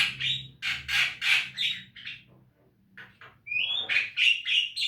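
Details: Javan myna singing for a training recording meant to get caged birds singing: loud rasping squawks in a rapid run, a short pause, then a string of clearer whistled notes.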